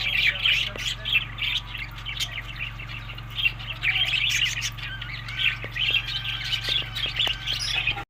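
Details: Budgerigars during feeding in Larkana, Sindh, in the May to June summer: continuous busy warbling chatter of high chirps and squeaks, with occasional clicks and a low hum beneath.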